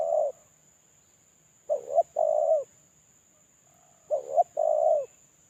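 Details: A single molting spotted dove used as a lure bird, cooing: paired mellow, low coos, a short hiccuping note followed by a longer steady one, repeated about every two and a half seconds, with a faint constant high electronic whine.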